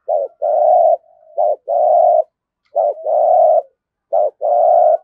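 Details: Spotted dove kept as a decoy bird, cooing in the 'giọng thổ' style. A clipped note followed by a long, even, mellow coo repeats four times across the stretch, with brief quiet gaps between phrases.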